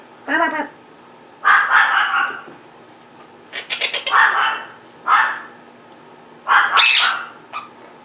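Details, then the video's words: Captive pet Quaker (monk) parakeets, kept since February 2021, are very vocal indoors. They squawk and chatter in harsh, raspy bursts, about six over eight seconds, some mimicking speech, with a faint steady hum behind. "Quaker Parrots Being Very Vocal and Mimicking"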